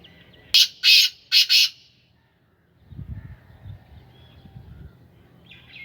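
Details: A kept black francolin of the Sindhi Gangas strain gives a loud, harsh grating call of four rasping bursts in under two seconds, the last two run close together, then quiet background with faint low rumbles.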